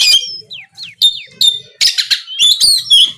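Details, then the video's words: Oriental magpie-robin singing loud gacor ngeplong phrases to provoke rival birds; quick descending whistled slurs and brief chips give way to harsh bursts and a warbling, ringing finish. "SUARA BURUNG KACER GACOR NGEPLONG INI DIJAMIN BIKIN LAWAN LANGSUNG NYAUT BUNYI GACOR!!"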